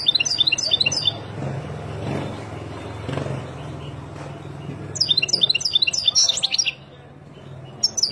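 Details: European goldfinch, a wild bird, in song meant for tutoring young birds: a quick burst of bright, high twittering notes opens, a low rumbling lull follows, then a second tinkling burst of fast chirps.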